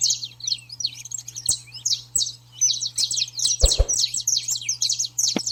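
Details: Saffron finch singing to train and excite a pet bird, a busy stream of sharp high chirps and down-slurred notes in dense runs, with a few low knocks and a constant low hum beneath.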